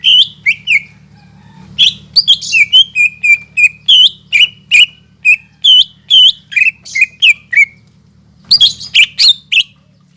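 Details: Lively song of a caged greater green leafbird, meant to excite other leafbirds into singing: strings of loud whistled and slurred chirps, nearly continuous for eight seconds, over a low steady hum.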